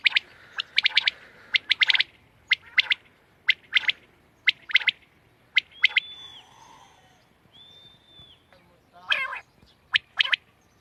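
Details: Quail calling on 31 March 2024, quick bursts of sharp repeated notes about once a second, interrupted midway by two long steady whistled tones before the notes resume.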